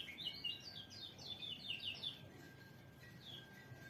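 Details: White-eye (pleci) singing a rapid twittering run of high, slurred chirps for about two seconds, then a few scattered notes; steady hiss and a faint low hum underneath.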